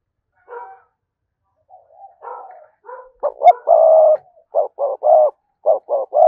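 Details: Spotted dove cooing, used as a lure to provoke wild doves into answering: a few soft, scattered notes open, then a run of low, hollow coos with one long drawn-out note, followed by short coos in quick pairs over a quiet background.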